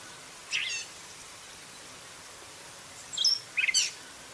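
A gray catbird gives three short, squeaky, jumbled phrases, high and scratchy, spread over about four seconds against a quiet background.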